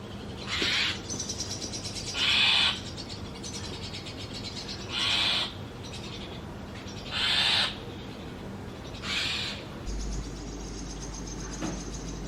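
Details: Nestling Brahminy starlings in an adopted sparrow nest box, fed insects often by the parent pair, give harsh, noisy rasping bursts about every two seconds, five or six in a row, with a low steady hum throughout.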